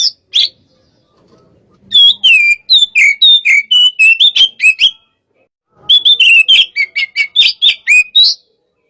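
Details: Kacer (Oriental magpie-robin), 'hot type' sparring song: two bursts of rapid, loud whistled and chattering notes, about four per second, separated by a pause of roughly a second. Faint low noise sits between the bursts.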